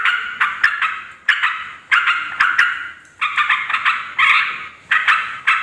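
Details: Yellow-vented bulbul chatter intended to attract wild females and males; harsh, bubbly bursts repeated irregularly, some single, some in tight clusters, each falling away before the next sharp onset.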